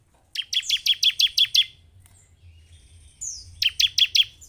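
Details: Ciblek or bar-winged prinia lure recording for a caged bird: a run of seven sharp high chirps, a pause with a thin whistle, then four more chirps.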